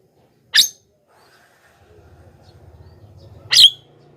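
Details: Javan myna (jalak kebo) call for luring wild mynas: two harsh, scratchy squawks three seconds apart, with a low rumbling hum rising in the background during the second half.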